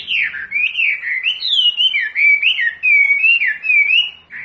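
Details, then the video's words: Wambi song used as a masteran, a training recording for caged birds to learn calls: a continuous run of slurred, warbling whistles rising and falling between mid and high pitch, with brief dips, over a quiet background. "SUARA MASTERAN BURUNG WAMBI"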